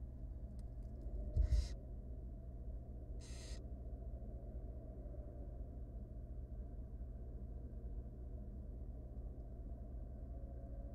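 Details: Begging from three small wild barn owl chicks as their mother feeds them in a nest box: two short, breathy, noisy screeches close together after a few faint clicks, then only a low steady hum.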